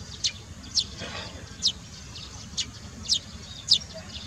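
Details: Barn swallows (Hirundo rustica) at Baisha, Wangshan, 14 March 2018: six short, sharp, high chirps spaced about half a second to a second apart, standing out clearly over faint low background noise.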